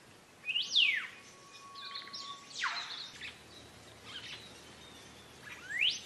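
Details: Green leafbird song used for training cage birds: loud sharp whistles sweeping down from high to low at the start, a long steady thin tone, a rising whistle near the end, faint chatter between.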